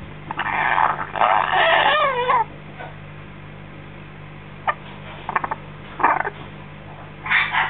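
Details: African grey parrot chick, six weeks old and freshly fed, gives a two-second stream of buzzy, wavering chatter with quavering notes, then scattered short squeaks after a pause, over a steady low background hum.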